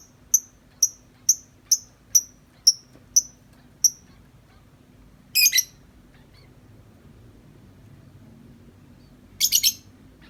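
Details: Lovebird, tame and outside its cage, typing out 'ngetik' chatter: eight crisp high ticks evenly spaced about every half second, then two separate bursts of harsh, rapid buzzy chattering after longer pauses.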